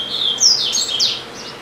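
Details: Double-collared seedeater singing in a cage at home, a bird that reportedly sings all day, pausing only to eat; a quick, loud run of high whistled slurs and sharp twitters fills the moment.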